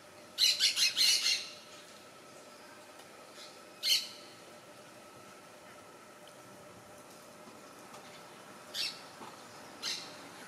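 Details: Orange-chinned parakeet feeding on bright red fruits in a tree in Soberania National Park, Panama, late November 2014. A rapid burst of harsh, scratchy squawks comes first, then single rasping notes spaced several seconds apart over quiet forest background.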